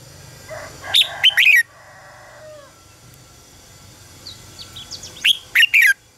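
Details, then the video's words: Decoy song of a red-whiskered bulbul for song training: two quick runs of sharp, descending whistles about four seconds apart, with a lower buzzy, drawn-out sound between them. "luyện giọng cho chào mào hót hay - căng lửa, chào mào hót quá phê"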